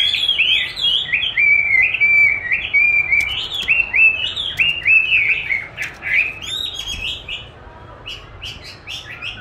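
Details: Caged Chinese hwamei answering playback of its own song during training, said to love dueling with its own voice; rich, loud whistled phrases of rising and falling slurred notes, repeated in quick runs, fading slightly toward the end.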